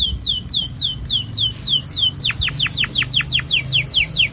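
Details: Canary song used to prompt young canaries to sing: repeated curved whistled notes, shifting into faster steep downward sweeps, evenly paced and loud.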